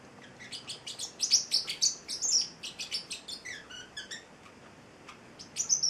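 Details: Pet Celestial Parrotlet, a male aged eight weeks, giving a busy string of high, thin chirps and short squeaky notes, a brief lower-pitched twitter near the middle, over soft room hiss.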